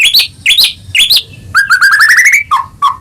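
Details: Caged-bird lure of white-rumped shama song: three upward-sweeping whistled notes about half a second apart, followed by a quick rising trill and two low whistles.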